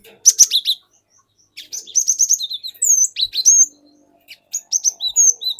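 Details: Wild-caught forest cinereous tit song used as a lure, with a long rolling 'wucit wuit' style: a dense burst of high chips, a run of rapid repeated whistles, then clear upslurred and downslurred whistles with short pauses.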